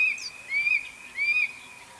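Black-throated magpie-jay giving three clear, high whistled notes about half a second apart, each slurring up and then leveling off, over faint background hiss.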